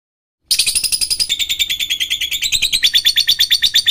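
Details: Lovebird lure meant to prompt lazy, silent lovebirds into singing: a fast, steady string of sharp high chirps, roughly three per second, shrill and metallic, shifting slightly lower midway and continuing without pause.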